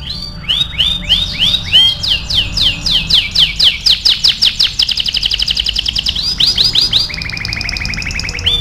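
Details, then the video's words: Canary singing energetically, recorded as a master song for training other canaries: a fast run of bright, rising swept whistles, then a dense rapid rattling trill, and finally a steady held whistled trill. "MASTERAN KENARI AF GACOR"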